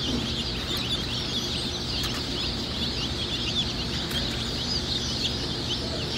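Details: Many Easter Egger chicks at a hatchery making a dense, continuous chorus of high, thin peeps that overlap without pause, with a faint low rumble underneath.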